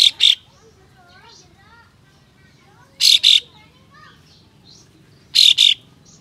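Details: Kapas tembak in full harsh 'besetan' singing meant to provoke other kapas tembak into opening their tails: paired rasping bursts repeated about every two and a half seconds, with soft faint chirps between them.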